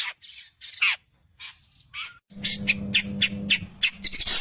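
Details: Long-tailed shrike singing 'tembakan maut' (deadly shots): harsh, squawky notes and short downslurred chips in uneven bursts, then a quick series of sharp clipped notes over a low steady hum.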